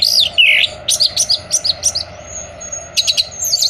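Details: Song of an orange-headed thrush, meant to coax moulting or silent birds into song: a slurred whistle, then a brisk series of high staccato notes, a thin drawn-out tone and a final flourish.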